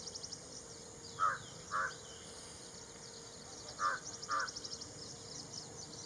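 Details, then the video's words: Ashy prinia giving two pairs of short, harsh, nasal notes, each pair spaced about half a second apart with a gap of roughly two seconds between pairs, over faint high-pitched background chirping. "bird call sounds of Ashy prinia"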